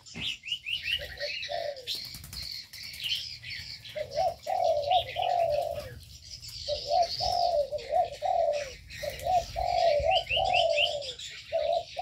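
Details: Aviary birds calling together. High twittering and short rising chirps open the recording, then rounded low coos roll in back to back while sharp chirps continue above them.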